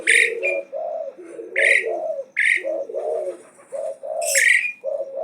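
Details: Asian pied starling singing continuously and challenging: loud scratchy bursts break repeatedly over a steady stream of lower, fluty gurgling notes, delivered almost without pause.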